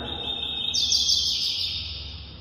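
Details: Young male Double-collared Seedeater (coleiro) in training, tutored with the 'Capricho' tape to learn the tui-tui zero zero song; a fairly short phrase: a steady high whistled tone that jumps to a higher, brighter sustained note, over faint low hum.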